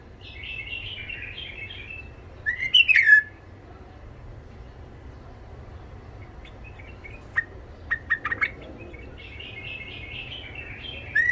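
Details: Tame white-eared bulbul from Iraq with a rough voice, its song meant to stimulate wild bulbuls and train young birds: scattered chirps and one sharp whistled phrase, with long quiet gaps between.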